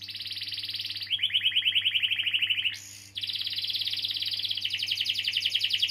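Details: Long rolling canary song played to stimulate quiet or silent canaries: dense high trill, dropping to a lower rapid pulsed roll, a brief hissy burst, then another fast even trill, all over a faint low hum.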